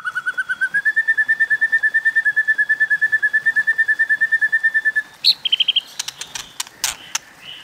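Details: 'Kéo thuốc lào' fighting song of a White-rumped shama: a long, evenly pulsed rattling trill, slightly rising, runs for about five seconds, then breaks into short high whistles and sharp clicks.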